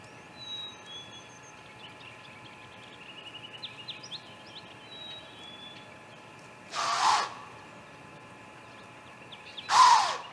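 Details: Great grey owl hissing at the nest on May 2 at 2:55 pm, with running sounds and children playing nearby; two short, harsh, breathy bursts of hiss stand out against a steady background hum and faint thin whistles.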